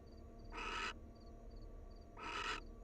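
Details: Wild barn owl pair bonding at the nest: two harsh, hissing screeches, each about half a second long, over a steady low hum and faint repeated high electronic beeps.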